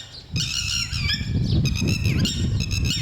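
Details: Lapwing protecting its chicks: shrill, strained calls given in quick runs of clipped notes over a steady low rumble of wind or handling noise.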